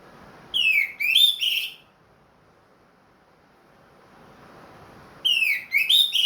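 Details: Orange-headed thrush, a ring-bred cage bird back in song after moulting: two matching phrases about five seconds apart, each of swooping whistles that slide down and then rise.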